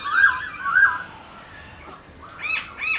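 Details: Black-throated laughingthrush, a kept songbird, singing, played to spur other pet birds to sing: loud slurred whistled phrases rising and falling, a pause, then higher bright fluting notes with buzzy overtones.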